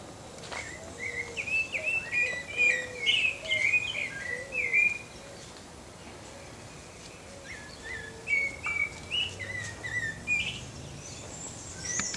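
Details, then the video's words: A pale-breasted thrush (Turdus leucomelas) sings a run of clear, varied, fast-paced warbled whistled phrases, pauses briefly, then resumes, over faint background hiss. "CANTO do SABIÁ-BARRANCO (TURDUS LEUCOMELAS) PALE-BREASTED THRUSH"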